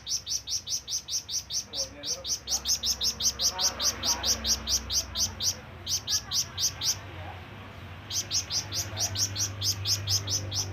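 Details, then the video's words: Long calling bout from a flamboyan bird, used for summoning rivals or companions: an almost unbroken train of shrill, high-pitched chirps, roughly two or three per second, with one short gap before the series continues just as rapidly. "SUARA BURUNG FLAMBOYAN MEMANGGIL TEMAN"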